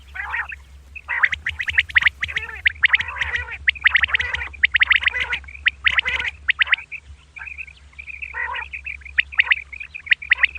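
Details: Female common quail calling in the morning, giving fast, scratchy, chattering notes in dense bursts, then thinner clipped calls, over a steady low electrical hum.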